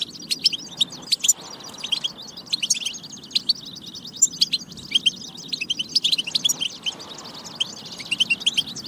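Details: Goldfinch batba song for prompting goldfinches to sing and get ready; energetic nonstop twittering with frequent sharp tweets and buzzy trills, accented bursts near one, four and eight seconds.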